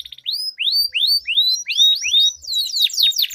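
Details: Canary in a song duel, lure for silent canaries: a series of bright rising whistled slurs about three per second, ending in a burst of fast descending trilled notes.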